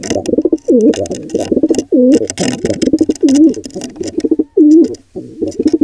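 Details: Wild pigeons at a nest where a squab is attacked by an intruding pigeon pair: low, throaty cooing notes that bend up and down, in uneven bursts, with brief crackly noises above.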